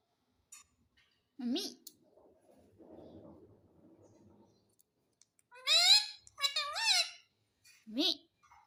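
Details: Pet Indian ringneck parakeet indoors: quiet clicks and soft low chatter, then bursts of loud harmonic squawks with rising and falling inflections, some in quick pairs.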